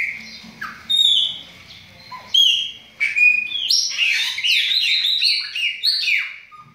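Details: Chopi blackbirds sing long, steady whistled notes at first, then break into a rich, tumbling series of varied, slurred phrases.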